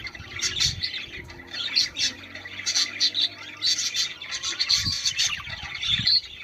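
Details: Budgerigar warble played to get birds mating: pulsing bursts of chirps, clicks and squeaks in quick clusters, with a few soft low knocks in between.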